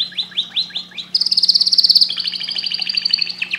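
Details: Canary gives four quick rising whistled slurs, then breaks into a loud rapid rattling trill that eases into a softer rolling trill, with a low hum underneath.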